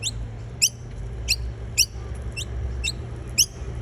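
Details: Noisy miner collecting nectar: scattered sharp, high chip notes, each a brief upward-sweeping stroke, a few per second at irregular intervals, with low background hum.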